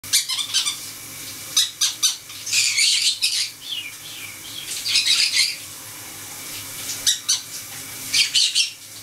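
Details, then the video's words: Four pet conures indoors in a shower, the running water prompting one to squeak while the others chatter; harsh, high squeaks come in short bursts and clustered runs over a steady hiss of falling water. "4 Conures Sing in the Shower"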